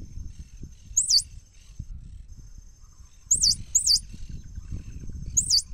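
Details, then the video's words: Swallow-tailed hummingbird: piercing high twisting squeaks, one, then a close pair, then another, with a thin steady whine and soft low noise beneath. "Canto del Colibrí Golondrina"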